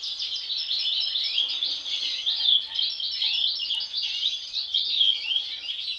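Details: European goldfinch siblings, a pair of them with unusual masks since birth. An unbroken, lively babble of high tinkling and buzzy twittered notes carries throughout.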